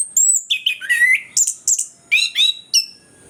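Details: Orange-headed thrush singing strongly, meant to spur silent birds into song: a continuous string of about ten quick, loud phrases mixing high thin whistles and lower slurred, descending notes, delivered with short gaps.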